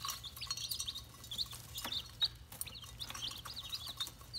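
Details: Red junglefowl chicks produce clusters of short, thin, high chirps separated by brief pauses, with sharp clicks and knocks scattered through the sequence.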